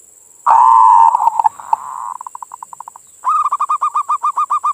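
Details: Local perkutut (zebra dove) manggung song for stimulating other doves: a loud long coo tails off into fading beaded notes, then a fast, regular series of short rising notes, roughly four per second, with a steady background whine.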